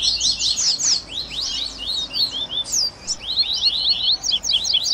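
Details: Double-collared seedeater song of the 'baderninha' style for warming up a caged bird: fast buzzy chirp clusters, a few sharp downward whistles, then quick twittering runs of high notes near the end.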